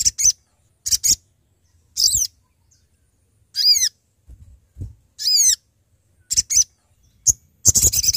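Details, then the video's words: Sooty-headed bulbul calling to companions, used as a lure for trapping: short bright downward-slurred whistled notes spaced irregularly, mixed with sharp clicks and brief noisy high bursts. "Sogon Gacor Memanggil Teman"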